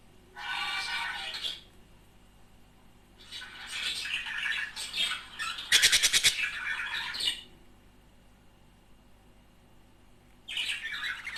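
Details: Budgerigar couple warbling to stimulate mating; three bursts of rapid chattering song separated by silent gaps, with a loud rattling flutter in the middle burst.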